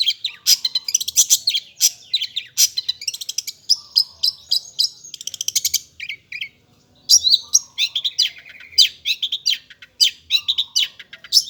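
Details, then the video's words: Long-tailed shrike singing vigorously, a varied stream of high chattering notes, rapid trills, whistles and harsh buzzy fragments, with one short silent gap midway. "BURUNG CENDET / PENTET GACOR"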